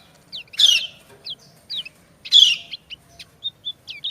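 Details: Female white-eye calling to a male in an answering exchange. Two loud raspy bursts separated by scattered short high chirps, the single notes coming roughly every half second toward the end.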